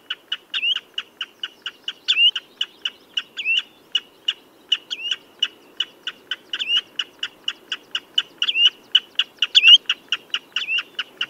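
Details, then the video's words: Redshank giving a rapid, insistent run of clipped piping notes, roughly two or three per second. Scattered notes bend into brief upslurred whistles. A soft low murmur sits underneath throughout. "Tiếng Chim Choắt Chân Đỏ"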